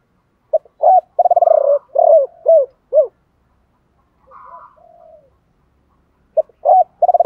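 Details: Calls of a male and a female spotted dove, 'thổ bầu' voice, played to excite trained doves to coo. A phrase of round, falling hoots with a rattling middle is followed by faint purring, then another phrase begins.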